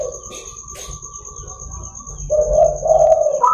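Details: Local zebra dove heard in the morning as a lure and training song: quiet murmuring for two seconds, then loud rolling coos ending on a higher note, with a constant faint high-pitched whine behind.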